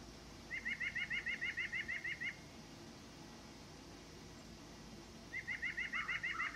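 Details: Song of a white-breasted nuthatch: a steady rapid series of about twelve matching nasal whistled notes, a long quiet gap, then a second run of about nine notes mixed with softer, lower notes near the end.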